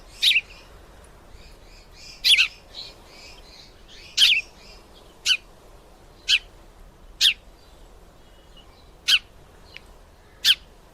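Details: Male sparrow watching two females fight and calling: about ten short, sharp, high chirps at uneven intervals, with some faint chattering notes in the opening seconds.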